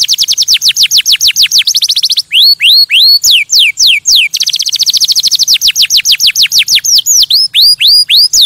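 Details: Canary delivering fast high trills broken by slower, loud downward-curving whistles, the rapid and slow phrases alternating in continuous song.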